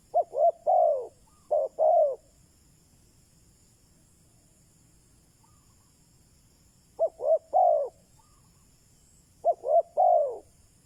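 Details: Spotted dove kept as a decoy to draw in wild doves, giving three mellow coo phrases. Each has short quick notes ending in a drawn-out, downward-curving coo, with long quiet gaps between phrases.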